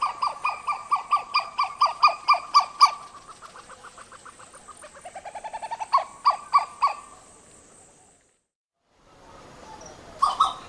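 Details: Western Plantain-eater yelping in a series said to accelerate and become louder, usually in a wild duet or chorus; a fast run of harsh repeated yelps, then a quieter quickening sequence building in volume, ending in loud notes after a pause.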